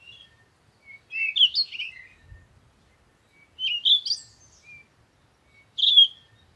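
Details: High, twittering bird phrases come in three separate bursts about two and a half seconds apart, each a rapid tangle of chirps and slurred notes, with one low thump and little else around.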